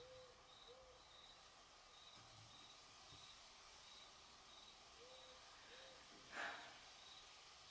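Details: Great horned owl hooting in a backyard, soft and low in two short pairs several seconds apart, over a steady background hiss with one sharp knock near the end.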